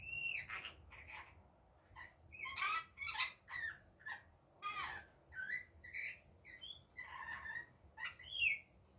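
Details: Rainbow lorikeet calling in daytime: a busy run of short, shrill screeches and chirps, bursts roughly every half second, some rising, others falling, with a steady low hum underneath.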